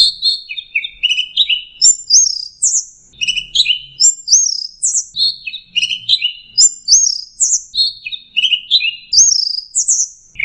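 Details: Song of an orange-headed thrush played as a lure for stressed birds: a tight cluster of descending and rising whistles repeated roughly every one and a half to two seconds, steady and energetic.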